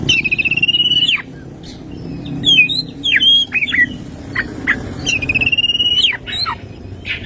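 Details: Morning song of an oriental magpie-robin packed with fill phrases: a pulsed level trill, a burst of varied twisting whistles and chips, then another matching trill, over soft low background noise.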